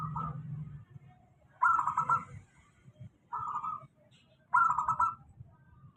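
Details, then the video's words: Zebra dove of local stock giving a steady lure song aimed at doves reluctant to sing: vibrating trilled coos alternating short and longer phrases, about four in six seconds, over a faint low hum. "suara pancingan perkutut lokal. suara stabil cocok utk perkutut malas bunyi"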